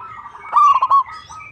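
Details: A single zebra dove phrase from a local bird in full song: a clear opening coo that breaks into three quick, bouncing beats, over a faint low hum.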